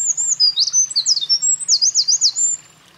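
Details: Eurasian wren singing loudly at a mountain pass on 28 April 2024, having earlier carried nest material; a rapid high cascade of sharp sweeping notes and trills runs for about two and a half seconds, then stops abruptly.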